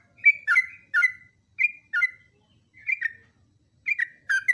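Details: Yellow-vented bulbul training song: separate short, gurgling phrases, each a bright note falling into a lower slur, spaced by brief silences, with a quicker pair at the end.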